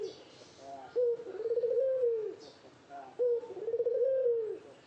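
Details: A spotted dove calling while courting a female, giving two long purring coo phrases, each starting abruptly and swelling into a tremulous, gently arching hum before fading; soft background chatter of small birds.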